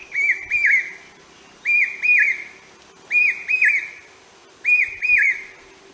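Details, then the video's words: Common hawk-cuckoo, the brain fever bird, giving a repeated call: shrill whistled two-note phrases, each note arching up and down, phrases repeated roughly every one and a half seconds, four times, with faint background hum. "Common Hawk Cuckoo Bird Sound | চোখগেলো পাখির ডাক | Keteki Bird | Brain Fever Bird Call"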